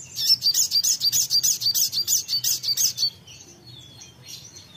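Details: Songbird answering right after a short playback: a rapid series of about fifteen high, bright chirped notes in a steady rhythm for three seconds, then quiet with faint distant twittering and low background hum.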